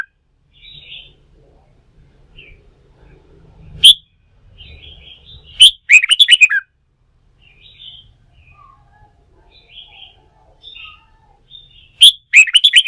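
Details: Wild-caught red-whiskered bulbul, stimulated to sing for song-fighting training: loud, sharp chirpy phrases burst out near the fourth, sixth and twelfth seconds as rapid runs of four to six notes, with softer scattered chirps between and a low background rumble.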